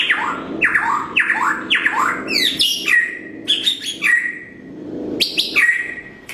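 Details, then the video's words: White-rumped shama, blorok variety, morning lure song for training other birds; series of rising sweeps repeated about twice a second, followed by high whistled phrases and pauses. "Murai Batu Blorok_ Suara Masteran Di Pagi Hari_Pasti Nyaut.!!"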